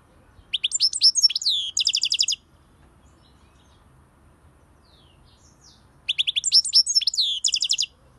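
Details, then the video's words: Two separate phrases of European goldfinch song, each a quick run of liquid, tinkling twitters that ends in a fast, even trill of repeated notes. A silent pause of several seconds separates the phrases. "SAKA KUŞU ÖTÜŞÜ"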